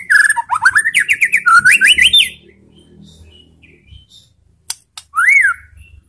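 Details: White-rumped shama song aimed at prompting other shamas to answer: a rapid, loud burst of rising whistled trills and scratchy overtones, then quiet low rumble and one final clear upslurred whistle.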